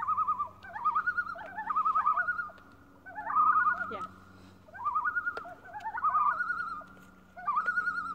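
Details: Common loon on Lake Beauvert near Jasper, Canada, giving wavering, tremulous phrases that step upward in pitch, repeated about every two and a half seconds over a faint low hum.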